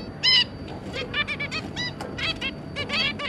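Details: Zebra finch family, an adult pair with three juveniles, recorded on 2 August 2022; a rapid series of nasal, honking, harmonic-rich calls that overlap from several birds, with one louder call near the start.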